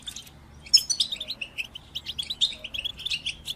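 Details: European goldfinch song for bird training: after a quiet start, a lively sequence of quick, high, tinkling chirps and short buzzy twitters delivered in rapid succession.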